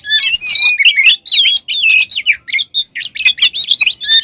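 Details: Oriental magpie-robin in full, lively song rich in varied phrases, used to provoke other magpie-robins into singing: fast, tumbling whistles, chirps and trills packed closely together, high and continuous.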